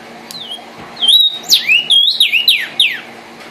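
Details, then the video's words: Red cardinal singing: a short high whistle, then a run of loud, clear whistled notes that slur sharply downward, about seven phrases in quick succession over a quiet background. "cardenal guajiro rojo, canto de las aves"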